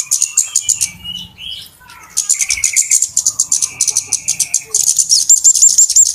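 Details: Flowerpeckers calling excitedly on a bird-trapping lure: steady, fast, high ticking notes with a lower buzzy trill behind, then a series of short, clear repeated whistles at the end.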